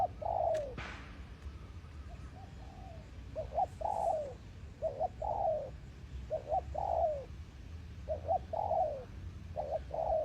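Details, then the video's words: Decoy spotted dove cooing: repeated phrases of two quick notes followed by a drawn-out descending coo, several times in succession, with a sharp click early and steady low background rumble. "Cu gáy mồi đất"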